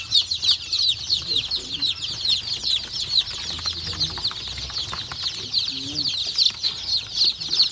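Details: Day-old country chicken chicks, just received from the hatchery, in a brooder on a poultry farm in the morning. Many chicks peep at once in a dense, continuous chorus of high, short notes, with soft rustling below.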